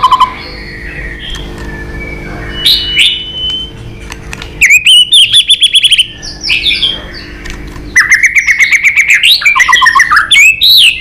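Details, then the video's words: White-rumped shama giving a long fighting song while tail-flicking to provoke a rival. Clear whistled phrases rise and fall with a quick trill, then fast runs of repeated sharp notes. A low steady hum lies beneath. "chòe Lửa đập đuôi tạch kích căng, kích Chòe Lửa hót đấu căng lửa.chòe Lửa hót giọng dài"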